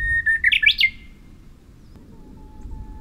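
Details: Bush warbler recorded 3 May 2023 on Oeyeondo island, Boryeong, South Korea: a brief whistle run into a rapid bright flourish of slurred notes, followed by a faint low steady whistle amid low-pitched background noise.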